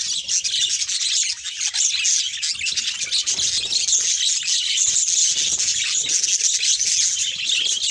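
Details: Many budgerigars, a breeding stock showing varied mutations, chatter continuously: a thick wash of bright chirps, squeaks and warbled phrases keeping an even level throughout.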